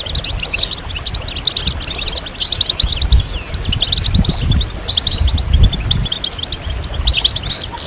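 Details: European goldfinches twittering as a group to encourage moulting males: busy high chirps, sliding whistled notes and short trills in loose succession, with a low rumbling background.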